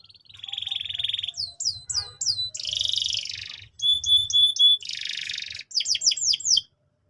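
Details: Canary song for training young canaries, continuous and varied: a steady rolling trill, repeated sweeping whistles, broad buzzy bursts, a run of clear whistled notes, and a final series of quick descending chirps.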